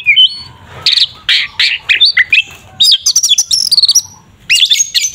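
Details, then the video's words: Provoking fighting song of an Oriental magpie-robin: rapid buzzy notes, ticking clicks and bright rising whistles, in quick bursts separated by short pauses. "Suara burung Kacer TARUNG NGEPLONG sangat efektif untuk pancingan Kacer agar emosi"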